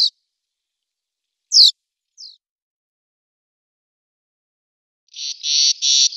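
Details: Barn swallow song: a few brief, high, sharp chirps separated by silence, then three harsh, buzzy, grating bursts in quick succession near the end, with no other sounds.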